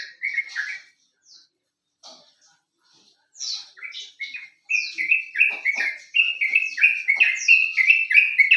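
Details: Lure recording of sooty-headed bulbul song meant to set other birds singing: scattered chirps at first, then after a short gap a fast, steady stream of bright warbling notes, roughly three each second.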